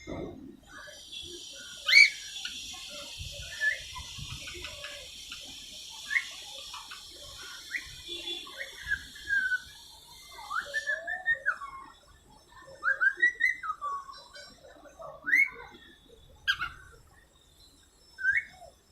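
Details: A young lutino cockatiel makes squeaky, warbling whistles, bending up and down in pitch as it copies outside noises.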